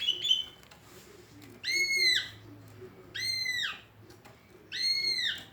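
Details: Greater green leafbird with an unusual voice: three loud, harsh, downward-arching buzzy calls with rich overtones, spaced about one and a half seconds apart, preceded by a short high chirp.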